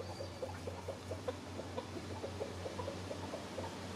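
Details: Free-range hens with a rooster chasing bugs and scratching around in the woods on an afternoon outdoors: soft, low clucks repeated several times a second, over a steady low hum.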